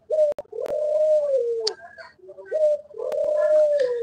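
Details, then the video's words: Australian doves kept on a farm among planted trees, call described as very melodious: two drawn-out, soft coos, each with a short lead-in note and a long mellow tone slurring slightly downward, separated by a brief pause, with some clicks and tapping. "গো পাখির ডাকটি খুব সুমধুর ডাক"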